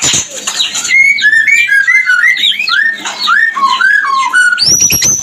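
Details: Melodious mating song of a white-rumped shama, meant to bring birds into breeding condition: a smooth descending series of fluty whistled phrases, ending with very high sharp notes and clicks.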